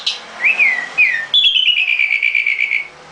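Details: Caged nightingale gives a clear slurred whistle twice, then a long steady warbled note pulsing rapidly for about a second and a half.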